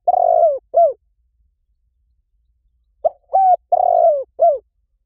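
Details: Spotted dove cooing, played to lure wild doves in fast: the tail of one phrase, a quiet gap, then a complete phrase of a short coo, a steady hoot, a long burry coo and a dropping last note.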